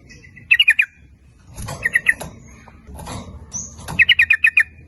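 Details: Sooty-headed bulbul lure song to attract both sexes, rapid 'nguplik ropel' type: three bursts of quick bubbly notes, the last the longest with about six notes, and soft rustling between.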